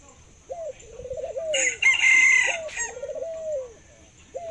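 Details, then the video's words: Caged Thai dove, an ornamental bird noted for a laughing, long coo, gives rising notes and trilled falling coos, while a rooster crows loudly over the middle of the recording. "Chú chim cu Thái biết cười và có tiếng gáy lâu nhất thật đẹp"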